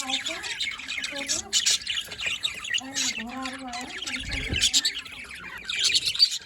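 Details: Budgies recorded on 27 October 2023 chattering in a high scratchy warble over lower, steady harmonic tones and a few wavering whistles, with a soft thud near the end.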